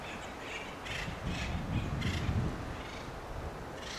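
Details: In Del Monte Forest, California, an acorn woodpecker gives harsh, raspy alarm calls, several per second, in the background. A band-tailed pigeon eats acorns in a coast live oak, over a low rumble of wind or handling noise.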